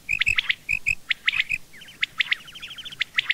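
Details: Female common quail calling, short clipped notes given singly and in quick pairs and triplets, some sharp and some slightly rasping, repeated rapidly over a faint low rumble of background noise.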